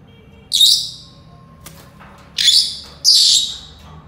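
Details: Loud, harsh, high Senegal parrot calls: one burst, a pause of nearly two seconds, then two more rough bursts close together, each lasting about half a second.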